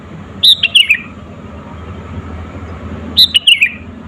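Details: Sooty-headed bulbul singing lively and natural, meant to provoke rival birds: two short bubbly phrases of three or four quick descending notes, separated by a long pause of faint low rumble.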